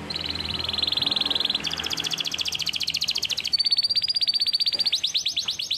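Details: Canary, possibly Belgian canary, singing during song training: long rapid trills of fast repeated high notes, shifting between tours at different pitches, with a higher buzzy stretch and rising notes near the end.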